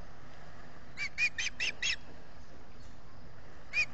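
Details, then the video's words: Nesting Osprey in the Finger Lakes region of the US, recorded by a solar nest camera in June 2021 while calling for fish: a burst of five clipped, piercing chirps, a brief pause, then two more chirps, over faint steady background noise. "calling for fish"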